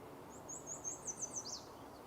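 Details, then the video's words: Yellow warbler singing from high up at a marsh in the early morning, singing all morning long. A quick, faint run of about seven thin, very high sweet notes ends in a slurred down-up flourish, with soft low background rumble. "hear that yellow warbler. He's singing away all morning."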